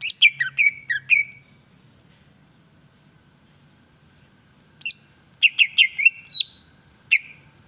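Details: Greater green leafbird song meant to make other leafbirds sing: a quick cluster of loud falling whistles, a quiet gap of several seconds, then another run of sharp whistled notes.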